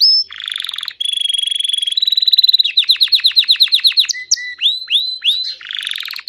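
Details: Melody of a painted Belgian canary: a bright, high-pitched song of buzzy rolls and steady whistled notes, then a fast series of repeated rising chips and swooping upward notes, all very clean and loud.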